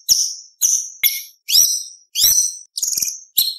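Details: White-rumped shama in a busy competition-style song with 'tembakan' shots: seven separate sharp, high whistled notes, some sweeping upward, spaced about half a second apart.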